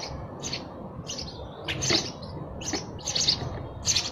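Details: Irregular sparrow chirps, some overlapping and clustered, bright and high-pitched, with a low hum underneath.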